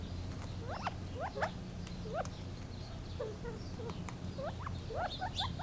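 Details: Gambel's quail giving a scattered series of short, rising chirps and upslurred notes, several overlapping, over a steady low hum.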